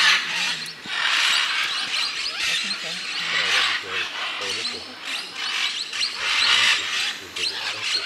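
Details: Scarlet macaws in Peru giving loud, harsh, raspy squawks in rapid overlapping bursts, several birds calling at once with brief pauses between volleys.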